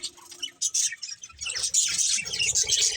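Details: Pet budgerigars chirping: thin high tweets at first, building into a steady, dense scratchy chatter from several birds in the second half.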